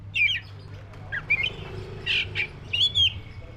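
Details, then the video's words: Black-breasted white-rumped shama uttering spaced whistled and raspy notes, some sliding, with gaps between, a low hum in the background. "SUARA BURUNG KACER (DADA HITAM)"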